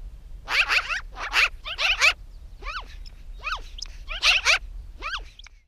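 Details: Chatty magpie landing on a post, giving rapid, harsh, rattling chatter in clumped bursts of scratchy notes with sliding sweeps, repeated throughout with brief gaps between volleys.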